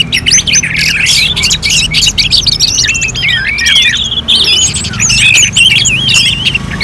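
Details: Orange-headed thrush singing as in a bird contest: varied whistled phrases with wavering, zigzag notes and sharp clicks, growing into looping, sliding whistles in the second half.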